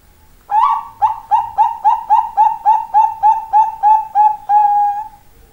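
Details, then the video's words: Zebra dove, a Bangkok-type bird, singing: a clear rhythmic series of about fifteen short mellow cooing notes, evenly spaced roughly three per second, ending in a longer drawn note. "PERKUTUT BANGKOK SUARA INDAH"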